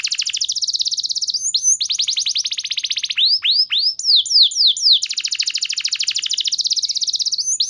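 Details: Clear canary song as a lure for other canaries: a nearly continuous, very rapid high trill broken midway by a few deep swooping slurs, after which the fast trill resumes to the end.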